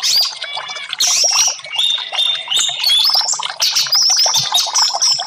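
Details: Orange-headed thrush singing, a therapy track meant to get non-singing caged birds to respond: continuous run of varied whistles, rising and falling sharply, mixed with quick chips and trills, loud and unbroken for several seconds.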